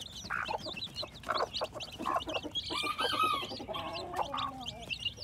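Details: Hatching baby chicks, spring 2021: high repeated cheeps throughout, plus lower clucks and a longer drawn-out, wavering call around the middle.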